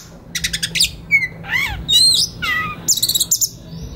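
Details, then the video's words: White-rumped shama (kacer) singing relaxedly as a master for young forest birds; rapid clicking chatter, a clear whistle, then rising and falling swooped notes and a final burst of fast chirps over a low hum. "SUARA KACER SANTAI LANJUT KONSLET Pas Buat Masteran Kacer Bahan Muda Hutan"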